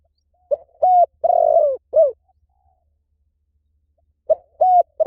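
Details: Spotted dove cooing: a low, mellow four-part phrase with a short note, a clear coo, a long rolling purr-like note and a falling final coo, then a pause of about two seconds before the phrase begins again. Faint low hum underneath.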